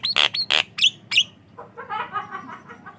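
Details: Javan myna (jalak kebo) lure song for training: loud grating squawks and short whistled notes, then a softer rapid chatter.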